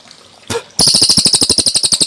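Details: Cililin singing loud and clear in a training recording for caged birds: after one brief note, it gives a rapid run of sharp, high chirps repeated at a steady quick beat.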